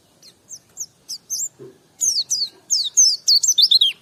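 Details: White-eye song: quick, high, sweet chirps and short slurred whistles, sparse at first, then a dense twittering run of descending and rising notes in the second half. A brief low thump midway, otherwise quiet background.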